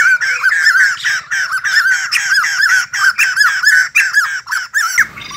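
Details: White-crested laughingthrush singing while dancing balletically, with a steady stream of loud, honking, chuckling notes repeated without pause, cut off abruptly near the end.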